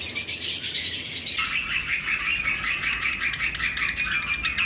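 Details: Pairs of lovebirds in a breeding-season flight colony, other birds around; steady overlapping high chirping from many birds, with an abrupt shift to a slightly lower, denser twitter after a second.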